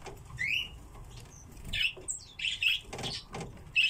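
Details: Common redpolls kept in captivity: a few short, sharp chirping call notes, some rising and some falling, scattered across four seconds among knocks and rattling cage sounds.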